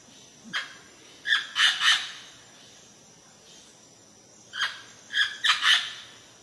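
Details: A pair of parrots calling: short harsh squawks in two bursts, three or four quick calls each, around two and four kilohertz, separated by a pause of several seconds over a faint background hiss.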